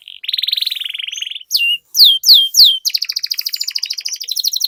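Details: Long rolling canary song played to encourage other canaries to sing; a buzzy trill, a few loud downward slurs, then a fast high rattling roll.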